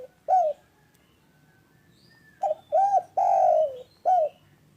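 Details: Loud, clear spotted dove meant to get reluctant doves calling: one coo, a pause with faint distant chirps, then a phrase of stuttered note, arched coo, long falling coo and a short closing coo.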